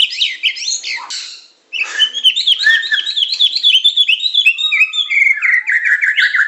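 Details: Medan white-rumped shama singing in pancingan, macet, tembakan and isian styles for a training recording. Quick tumbling whistles open, then a brief gap and a fast, steady series of chopped, chattering notes, about two per second, falling in pitch.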